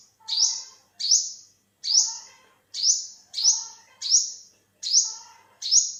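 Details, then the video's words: Olive-backed sunbird, also called yellow-bellied sunbird, calling in Thailand in 2021: loud, high, buzzy notes that rise then level into a thin hiss, repeated about every 0.8 seconds, eight in a row. "เสียงนกกินปลีอกเหลือง Olive-backed sunbird, Yellow-bellied sunbird"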